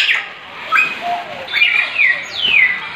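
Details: Grey parrots in the Bannerghatta Zoo bird house, mimicking songbird calls, give a run of clear falling whistles sweeping down in quick succession, with a lower mellow note between them and soft background chatter.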